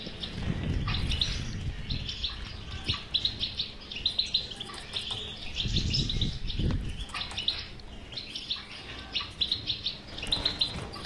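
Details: European goldfinch batbata song, a recording used to stimulate a silent goldfinch to sing: rapid high twittering and tinkling phrases in bursts, with low thumping and rustling noises between phrases.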